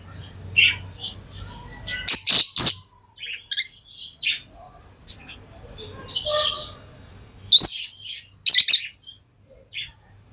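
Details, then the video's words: Pet lovebirds chirping: scattered thin squeaks and loud clusters of shrill, high chirps at irregular intervals over a faint low hum. "Love birds Sounds | lovebirds chirping sounds"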